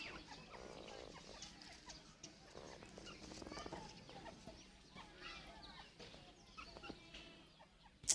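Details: A female Dakhni grey francolin gives short, clucking calls in a few bursts, set against a steady hiss of background noise.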